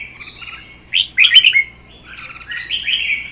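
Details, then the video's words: Caged red-whiskered bulbuls in a provoked song duel, one captive-bred and one wild-caught adult. Soft chatter leads into two loud, sharply slurred whistled notes, followed by a rolling, trilled warble. "CHÀO MÀO | Hót đấu kích ché"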